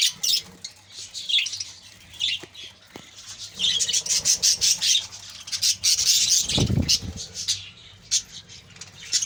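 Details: A budgerigar colony chattering: sharp high squawks and warbles in uneven bursts, several birds calling at once, with a brief low thump near the end.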